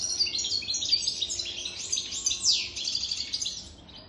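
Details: An adult European goldfinch, wild-caught and aged over three years, pours out an unbroken, high, tinkling warble of fast chirps with a sweeping downward note near the middle.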